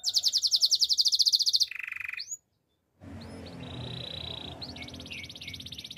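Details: Spanish timbrado canary giving its training song: a loud bright rattling trill dropping to a lower buzzy trill, a pause of silence, then faint high trills over background hiss.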